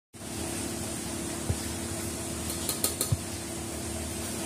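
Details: Indoors, a steady fan-like hum fills the room, with a few light clicks and taps and no animal voice.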